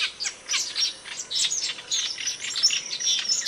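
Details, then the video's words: Asian glossy starling from Indonesia, kept as a training model for songbirds, producing a fast stream of high, thin chirps and sharp tweets with a steady background hiss. "Suara Kicauan Burung Cucak Keling, Panggilan"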